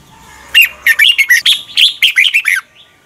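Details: Morning training song of a red-whiskered bulbul: a fast, continuous phrase of about a dozen loud, rolling, slurred whistles lasting two seconds.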